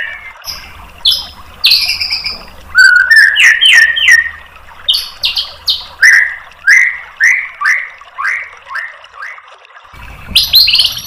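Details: White-rumped shama tutor song meant to provoke another bird into answering: varied loud whistled phrases, a harsh squawk, then a long series of clear downslurred notes repeated roughly every half second, ending with a burst of high chatter.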